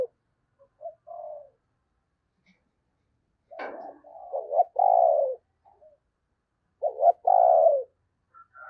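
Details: Decoy spotted dove cooing in the thúc gù style to lure wild doves during the Tết season: low hollow coos, each a short stuttered lead-in followed by a longer drawn-out note, with pauses between phrases.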